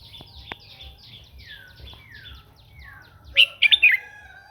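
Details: Red-whiskered bulbul singing in the morning to train its voice and prompt other birds to sing: a loud, burbling burst of warbled notes near the end, after a string of thin descending whistles from another bird.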